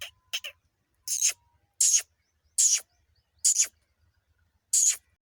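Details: Male grey francolin calling in Punjab: loud, harsh, broadband notes, a closely spaced pair followed by single strident notes roughly every 0.7 to 0.8 seconds, with a faint steady tone in the background.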